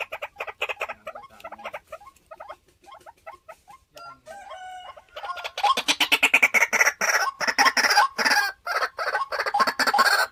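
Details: White-breasted waterhen, a home-kept decoy bird, giving rapid repeated croaking and clucking notes, sparse at first, then a dense loud chattering chorus of harsh pulsed calls from about five seconds on.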